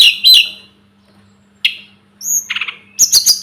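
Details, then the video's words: Short bursts of Sunda robin song recorded for bird tutoring: harsh chirps, a thin high whistle, and a quick stuttering series of notes, separated by pauses. A faint hum is audible in the background. "Masteran burung tledekan gunung"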